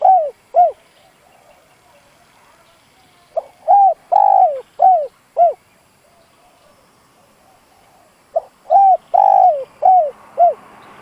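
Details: Spotted dove decoy repeating its luring call three times over several seconds, each phrase a run of four or five rounded, mellow coos with one longer note, quiet gaps between phrases.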